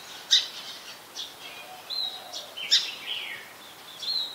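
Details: Brown-throated sunbird (Anthreptes malacensis) in Ubon Ratchathani, Thailand, on 2 January 2021, giving sharp, high chipping notes with thin sweeping trills, two bright bursts about two seconds apart amid faint background chatter.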